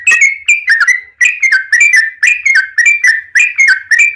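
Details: Lively Yellow-vented Bulbul song, a rapid run of gurgling, whistled double and triple notes that rise and dip, repeated roughly every third of a second in a steady chattering stream.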